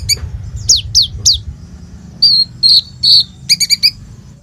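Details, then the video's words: Kolibri ninja sunbird in lively imitative song, recorded by phone: three bright falling whistles, then steady high tones and a quick cluster of buzzy chips, with low background rumble early on. "SUARA BURUNG KOLIBRI NINJA GACOR FULL ISIAN ROLL TEMBAK INI, COCOK BUAT PANCINGAN KONIN BAHAN/IJOAN"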